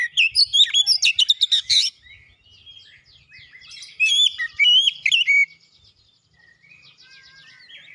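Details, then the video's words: Kacer, a magpie-robin, pouring out song to rouse non-singing birds: harsh rapid chatter, then ringing whistled phrases, fading into faint distant notes. "KACER MACET BUNYI LANGSUNG NGEPLONG GACOR SEKALI PANCING"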